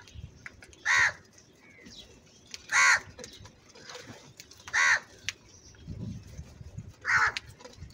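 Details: Loud, angry crow cawing: four coarse, harsh caws come about every two seconds, with a soft low murmur of background noise between them.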